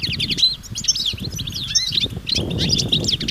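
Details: European goldfinches calling as a group outdoors, mating and readiness twitters to encourage males to sing; quick liquid chirps and a few rising and falling whistled notes, with low rumbling noise underneath.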